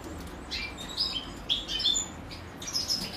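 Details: European goldfinch chicks begging as their mother feeds them: a few separate short, high, squeaky chirps with pauses between, over a quiet background.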